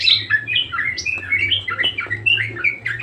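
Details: Budgerigar in full chattering song: rapid, varied high twittering notes with squeaky rising and falling slurs, delivered nonstop, over a steady low hum.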